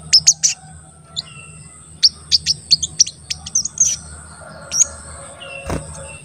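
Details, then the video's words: Actively calling crested jay (sogon) used to provoke other birds into calling: sparse, piercing high chirps in small clusters, with short gaps between groups and one sharp click near the end. "Pancingan Sogon Agar Bunyi dan Emosi"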